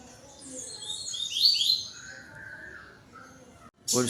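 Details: Yellow-billed double-collared seedeater giving its tui tui song on 12 November, singing to another bird. A short run of high, slurred, descending notes peaks mid-phrase, followed by a lower drawn-out note and an abrupt clatter at the end.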